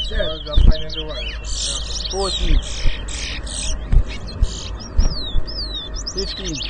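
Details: Energetic towa towa song at a 2022 whistling competition, Rosehall Town, Guyana: rapid high twitters alternating with harsh buzzy phrases and clear slurred whistles, while people speak in the background.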